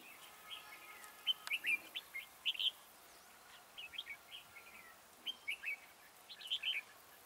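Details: Red-whiskered bulbul singing as a trap decoy, its voice high and soaring; a steady run of short, liquid whistled phrases, some slurred up and down, repeated throughout with brief breaks and low hiss.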